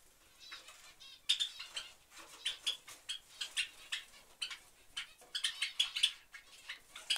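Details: A family of Java sparrows: sharp, high clicking chips in rapid bursts, some loud and close, with layered chattering notes and bits of fluttering underneath.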